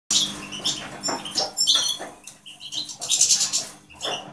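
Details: European goldfinch (Carduelis carduelis) song: quick, tinkling high twittering notes and liquid trills, broken by soft rustling and fluttering sounds.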